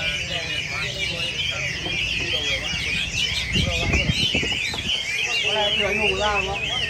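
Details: Several Chinese hwameis singing together, a dense tangle of loud, rich warbled and whistled phrases that overlap without pause. Brief low thumps and murmurs sit underneath near the middle.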